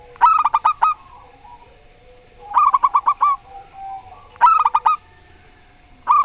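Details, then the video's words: Zebra dove, a local Rondo Semoyo singer against a strange-voiced bird: three bursts of fast staccato cooing about two seconds apart, with a fourth starting at the end. "Perkutut Lokal Rondo Semoyo VS Perkutut Suara Aneh"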